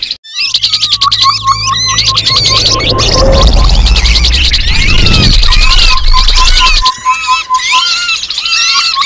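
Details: Lure call of grey-headed babblers chattering busily with high squeaky notes, over a steady run of short, even whistles repeated several times a second, with a low hum underneath.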